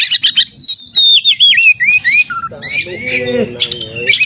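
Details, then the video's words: Kacer, the Oriental magpie-robin, giving aggressive fighting song meant to rouse rival birds; wavering whistled phrases that step downward, then a quick jumble of chirps over a lower humming tone. "suara burung kacer gacor narung ini AMPUH buat pancingan KACER agar bunyi AUTO emosi kacer buka ekor"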